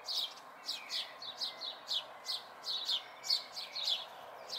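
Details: House sparrow fledglings in May 2020: high, short chirps repeated roughly every half second in loose bursts, set against a broad hiss of background noise.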